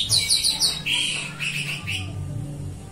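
Orange-headed thrush female whistling: four quick, high sweet notes, then several lower slurred whistles, over a faint low hum.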